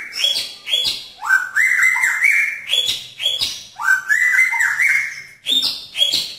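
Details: Caged male magpie-robin courting a female in a pairing cage, giving loud, rich whistled phrases that open with sharp high notes and slide into wavering mid-pitched warbles, repeated almost without pause.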